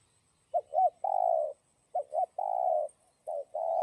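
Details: Spotted dove (cu gáy) cooing in the 'giọng đồng' style meant to provoke other doves: repeated phrases of two quick upturned coos and one long level coo, nearly three phrases back to back.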